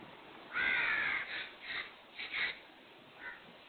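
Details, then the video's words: Black francolin (kala teetar) calling: a long, loud harsh grating note followed by a few shorter rasping notes and a final faint one, fading at the end. "KALA TEETAR | BLACK FRANCOLIN | TETAR VOICE"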